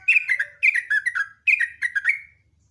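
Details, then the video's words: Morning rapid song of a lively sooty-headed bulbul: three short bursts of bubbly, slurred whistles, each phrase stepping downward in pitch, separated by brief gaps and ending with a trailing note. "TRUCUKAN ROPEL NGECRUK, NEMBAK"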